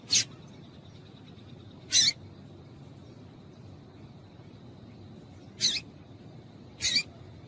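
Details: Female double-collared seedeater calling, used to stimulate a male to sing; short sharp high chips at irregular intervals, four in the clip, over a faint steady hum.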